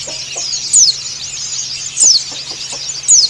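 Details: White-eye (pleci dakun Bali) calling a rival: a steady, dense, high twittering chatter broken by three loud, sharp, downward-slurred whistles about every 1.2 seconds, with a few faint low clucks underneath and a soft low hum.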